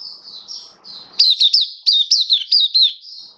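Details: Oriental white-eye in a cage, 27 October 2022: soft warbling, then a clear sequence of about seven loud, falling whistled chips in quick succession.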